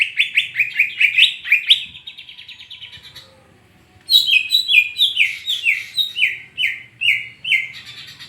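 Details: Kept greater green leafbird from Rangkasbitung in full song, opening with rapid rising chirps, a brief pause, then a long run of evenly spaced descending whistled notes about twice a second.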